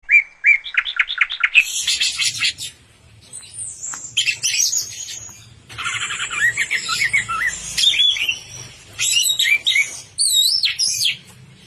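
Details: Orange-headed thrush singing energetically, described as in full song until 'teler': a rich varied stream of loud whistled phrases, rapid rising chirps, and buzzy trills, mostly high-pitched, with short pauses between bursts and a faint low hum beneath.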